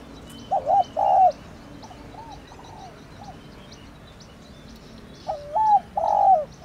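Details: Calling coo of a spotted dove, thổ đồng type, for stimulating a decoy; a three-part coo phrase with fainter echoing coos after it, then a quiet stretch before the phrase returns.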